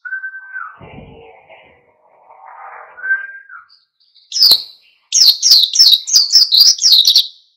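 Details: Oriental white-eye singing vigorously in wild style to provoke other birds: a lower flat whistle and faint chatter first, then a burst of high, quick, downslurred chirps repeated rapidly.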